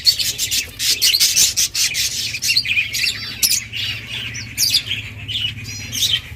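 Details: Budgies feeding their chicks: harsh scratchy squeaks in fast choppy bursts, some with wavering high notes, over a steady low hum.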